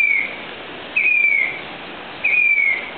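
A Grey-bellied Cuckoo gives clear, high whistled notes that slur gently downward, repeated about every second and a half over a soft background hiss.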